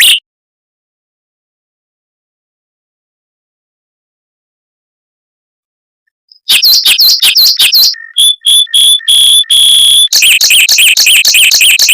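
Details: Mockingbird song of fast, tight rolls and long bursts, meant for training white-rumped shamas; long silence first, then clipped rising notes, high piping tones and a rapid rolling trill.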